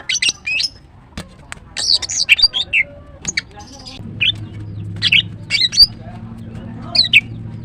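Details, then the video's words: Green cucak female (greater green leafbird) in morning song, giving clusters of high squeaky chirps and short whistles spaced by pauses, with a low hum rising in the background halfway through. "The female Green Cucak bird is chirping well, GREATER GREEN LEARBIRD"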